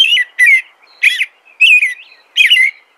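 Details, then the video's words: American robin song: clear whistled, slightly warbling phrases around the upper mid range, five short carolling phrases about half a second apart, each dropping in pitch, in a quiet setting with no other sounds. "American Robin Song"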